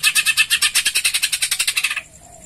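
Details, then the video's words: Greater green leafbird giving its sparrow-like call style, used to prompt other birds to sing: a rapid, harsh chattering series of about seventeen evenly spaced buzzy notes over two seconds, then stopping. "pancingan cucak ijo full suara gereja"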